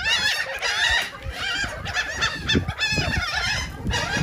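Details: Gulls squabbling over cake at Atlantic City, New Jersey, giving crowded, nasal squeals and wavering cries, with a low rumble of wind or surf underneath.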